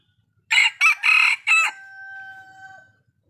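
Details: Red junglefowl decoy bird crowing: four loud, harsh, broadband syllables in quick succession, the last drawn out, followed by a thin steady tone that trails off into quiet.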